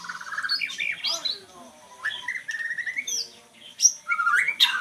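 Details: Oriental magpie-robin singing varied sweet whistles, some rising and some falling, broken by short chirps and a loud sharp note toward the end.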